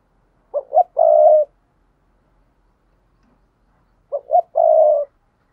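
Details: Spotted dove cooing to lure in wild doves: two phrases, each opening with two brief low notes and ending in a drawn-out level coo, separated by about three seconds of silence.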